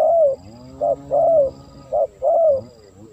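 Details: Spotted dove calls used to lure wild doves: clear low cooing notes, a short note followed by a longer falling coo, repeated in a steady pattern about three times, with quiet background.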